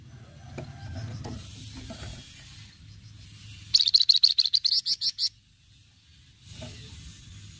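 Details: Flamboyan in lively cretetan song, recorded as a lure: a steady run of about a dozen rapid, high, harsh pulses lasting well over a second, with low background rumble before and after.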